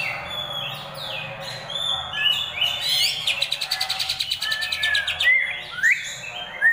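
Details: Greater green leafbird singing a harsh rolling song for training other birds: scratchy slurred whistles and squeaks open into a rapid buzzing rattle of repeated high notes, then sharp rising whistles, with faint low background rumble.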